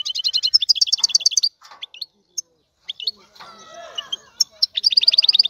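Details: Male European goldfinch song used to stimulate a female for mating: quick liquid twitters in rapid runs, a quiet gap with scattered single notes and faint soft background sounds, then another fast tinkling trill.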